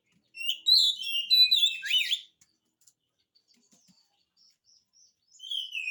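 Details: Song of an oriental magpie-robin, played to coax reluctant magpie-robins into replying: a two-second tumble of loud, varied whistles and down-slurred notes, near silence, then a single drawn-out whistle at the end.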